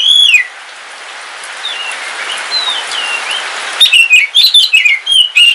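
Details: On a rainy day in Kalimantan, a caged black oriental magpie-robin whistles a falling phrase, goes quiet under soft, distant rain-muffled notes, then bursts into a fast series of bright, slurred whistles and chirps, with rain hissing throughout.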